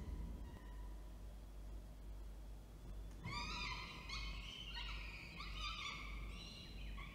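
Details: Falcon at Orange, New South Wales, on 19 October 2024, with the male delivering food and the female feeding. A faint note opens, then after three seconds a loud stream of harmonic wailing and chattering calls over low rumble.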